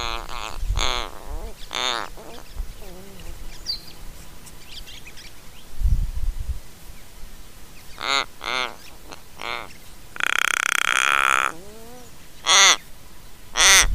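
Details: Little Raven in Mannum, South Australia, filmed by a trail camera and creaking as it puffs out its head feathers and throat hackles. A series of short, nasal, croaky notes and buzzy creaks comes in irregular bursts, with one longer harsh rasp.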